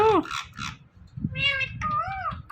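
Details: Talking Indian ringneck parrot mimicking words: a sharp falling note, two short buzzy syllables, then two longer nasal calls with wavering pitch, in a small room.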